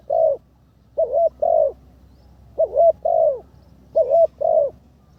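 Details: Spotted dove in decoy training on the ground, third session, calls three two-part coo phrases, each a clipped note followed by a fuller, slightly falling coo.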